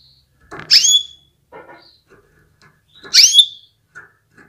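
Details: Calling female Atlantic canary, stimulating males to sing with full force: two loud, sharp, rising-then-falling chirps about two and a half seconds apart, with faint rustling between.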